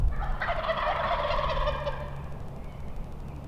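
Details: In the morning in Nebraska during spring hunting season, one of a large flock of Wild Turkeys, perhaps 100 yards away below a hill, gives a rapid, rattling gobble of about a second and a half, with a low rumble of strong southerly wind.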